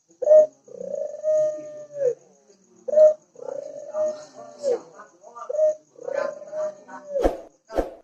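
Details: Ringneck dove (burung puter) in a training recording, cooing three full phrases about every three seconds, each a short note, a long level coo and a dropping final note, with sharp clicks near the end.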